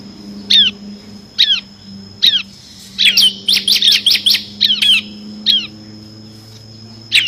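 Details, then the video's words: Bar-winged prinia (ciblek kristal) singing in ngebren style with six-variation fill, used as master song for training competition birds: sharp downslurred chirps about once a second, then a quick cluster of notes, over a steady high whine. "FULL NGEBREN‼️ CIBLEK KRISTAL GACOR ISIAN 6 VARIASI"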